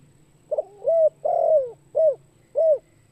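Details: Spotted dove call used as a lure for other birds: a short double note, then a rising coo, a long drawn falling coo and two clipped coos, all low and hollow, repeating in a rhythmic phrase with a faint steady hum beneath.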